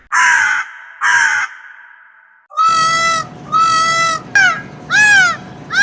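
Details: Crow cawing: two harsh, hoarse caws, then a run of louder, more nasal calls repeated about every half second to second, some sliding downward, with a low rumbling background.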